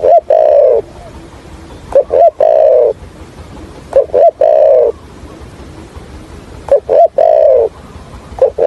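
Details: Spotted dove kept as a decoy bird for trapping, giving a calling and stuttering coo in the 'thổ Hạp bổi' voice style: low, mellow cooing phrases with short clipped lead-in notes, then a drawn-out coo, repeated roughly every two seconds against a quiet background.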